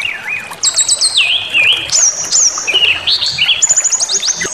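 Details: Brown-chested jungle flycatcher song used to provoke rivals: wavy lower notes, a rapid stuttering descent into a warbled whistle, thin high slurs, then a fast rattling series of high repeated notes near the end.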